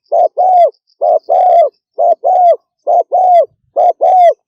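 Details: Rapid 'thúc gù' cooing from a spotted dove, a short low coo followed at once by a longer hollow one, the pair repeated steadily about once a second over a quiet background.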